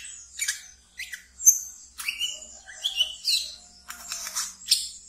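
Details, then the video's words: Wiceh, a kept pet bird, twittering in quick, high, squeaky chirps and short trills, bursts about every half second to a second; recording meant as a lure for young wiceh. "Wiceh Ngeriwik"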